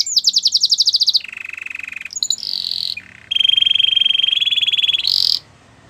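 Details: Canary singing a training song to woo other canaries, with fast high rolling trills, a lower steady buzzy tour, brief notes, then a long even trill held for about two seconds.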